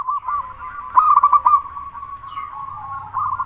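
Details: Local zebra dove, a loud, frequent singer kept as a lure to make other doves sing: a rapid burst of throaty staccato coo notes around one second long, with softer coos from other doves behind.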